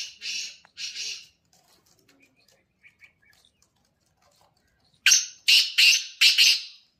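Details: Black francolin calling: two harsh, grating bursts open the sequence, followed by a quiet gap with faint chirps, then four loud rasping notes in quick succession near the end.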